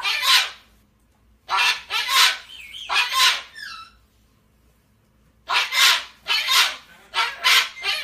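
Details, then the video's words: Pet cockatoo, female, yelling and upset after her owner leaves the room, calling for him to come back: loud, harsh, broadband screams in bursts of two to four, separated by short pauses, with a brief squawky trailing note. "the Cockatoo yells for her human Dad to COME BACK RIGHT NOW"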